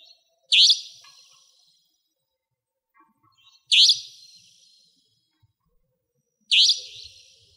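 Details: Savanna Nightjar, a nocturnal, territorial resident bird, recorded near a house in Pingtung County, Taiwan: three sharp, harsh, rising notes spaced about three seconds apart, each fading quickly, in otherwise quiet surroundings.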